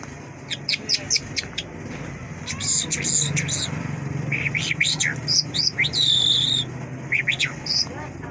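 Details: Song of a Mashhadi lark, a long, lively stream of sharp chirps, clipped trills and brief whistled phrases, delivered in uneven bursts over faint low rumble.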